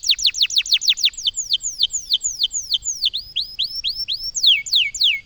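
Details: A loper canary sings a fast trill of sharp downward-sweeping whistled notes, quick at first, then slower and more spaced, ending with a few deeper swooping notes; clean background.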